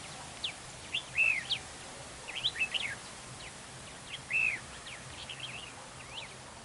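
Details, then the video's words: Red-whiskered bulbul used as a trap decoy in a territorial fight, described as having an unusual voice. Clear whistled, slurred phrases that rise and fall in short bursts, with quieter chirps between them and a steady background hiss. "Bẫy đấu chào mào HỌNG DỊ"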